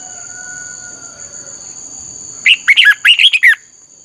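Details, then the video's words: Red-whiskered bulbul training song in 'căng lửa' style, meant to teach other bulbuls: after two seconds of quiet with steady high hum, one rapid phrase of about six liquid, looping whistled notes. "luyện giọng cho chào mào hót hay - căng lửa"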